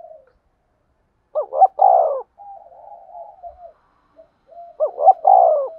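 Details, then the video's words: Trapping decoy spotted dove in its calling and urging coo style: two loud phrases of hooked wavering notes plus a long coo, separated by a soft murmuring run of low coos. "tiếng cu gáy mồi chuẩn gáy gọi và THÚC dùng kích bổi hiệu quả nhất"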